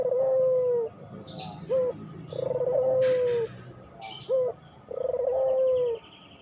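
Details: Pelung-type Barbary dove, in a recording meant to coax silent doves into singing, repeats a long level rolling coo three times, each followed by a short rising note, with faint high bird chirps behind.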